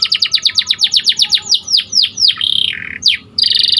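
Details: White canary singing for canary training: evenly repeated sharp chirps about four per second, then long downward slurs, a rasping roll and a final buzzy burst.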